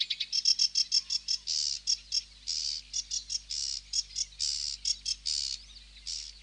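Sedge warbler song: a hurried, high chatter of quick dry notes broken by longer harsh, buzzy trills, running on without pause.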